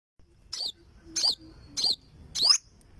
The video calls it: Olive Backed Sunbird Singing - Suara Burung Madu Sriganti